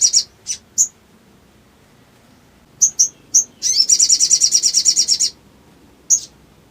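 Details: Sooty-headed bulbul song used to provoke quiet bulbuls into singing: a few sharp high chirps, a pause, more chirps, then a long fast pulsing trill and one final chirp.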